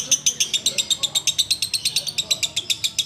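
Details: Sooty-headed bulbul ngekek, recorded while waiting for the Ramadan fast to end: piercing, high, clipped notes tumbling out in a quick, regular rattle, about seven notes each second, with no other clear sounds.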